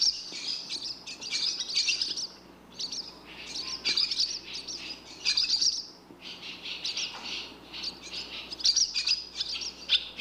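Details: Barn swallow chirping: dense bursts of high, twittering chirps and trills, clustered in phrases of one to two seconds with short pauses between, continuing steadily through the recording, with a faint low hum in the background.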